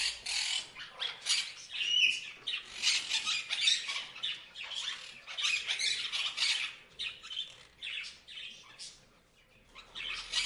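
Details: Parrots giving dense, continuous harsh squawks and chirps for about ten seconds, overlapping calls with barely a pause, briefly thinning near the end.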